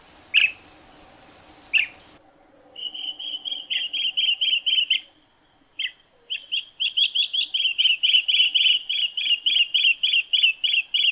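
Green bee-eater giving rapid strings of high, rolling trilled chirps, about three per second, in long bursts; two sharp clicks come first.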